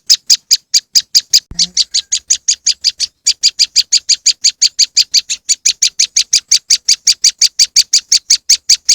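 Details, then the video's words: Moss wren song played as a lure: a fast, steady run of sharp, high chipping notes, roughly three per second. There is a brief low thump near the start and a short break around the third second. "powerful moss wren bird lure sound"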